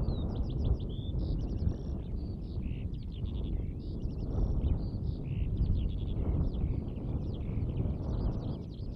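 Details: Eurasian skylark song from Latvia, a continuous high, rapid chattering warble of trilled and buzzy notes in tight bursts, delivered without pause over strong low-pitched wind noise.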